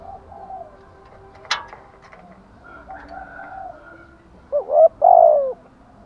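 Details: Spotted dove in the thúc gù and gáy gọi calling styles: after faint murmuring and a sharp click, one loud phrase near the end, two quick hooked notes then a longer falling coo.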